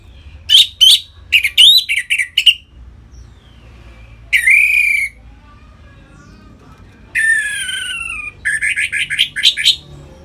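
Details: Ngeplong-style song of an Orange-headed thrush, played to excite captive birds: sharp whistled upslurs and clipped notes, a long drawn buzzy whistle, then a descending slurred whistle flowing into fast chattering phrases, with pauses between.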